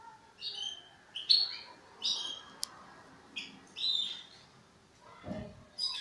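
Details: Young European goldfinch practising song, giving short, separate bursts of thin, high chirps and twittery notes about once a second, with quiet gaps between them and one low thump near the end.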